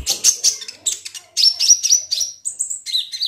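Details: Olive-backed sunbird (kolibri ninja) song played as a lure to get a bird singing: rapid, high, thin twittering with piercing sustained whistled notes, continuous and busy throughout.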